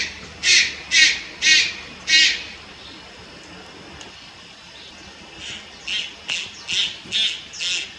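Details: Young Malayan night heron in Lugu, Taiwan, July 30, 2022: four loud hoarse rasping squawks about half a second apart, a pause, then a run of six softer, thinner rasps.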